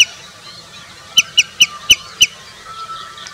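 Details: Common redshank in India giving a run of five sharp, high piping notes about a quarter-second apart, then one more after a pause, with faint bird chatter behind.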